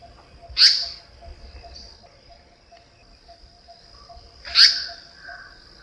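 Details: Indian Paradise Flycatcher, a bird of bamboo forest, giving a harsh, screechy call that male and female share: two loud rasping bursts about four seconds apart, with a steady high insect-like whine throughout.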